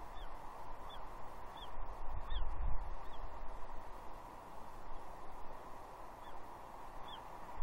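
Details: Juvenile female bald eagle on a gnarly tree at Two Harbors, Catalina, 30 June 2021, mantling and begging from her father for breakfast fish: thin, high, slurred squees repeated about every second, with steady wind-like rushing noise underneath.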